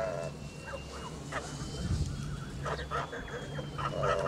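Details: Young white male Kholmogory goose on a farm, 2 months 26 days old, giving a few scattered nasal honks, one early and a cluster near the end, with a constant high whine and low rumble behind.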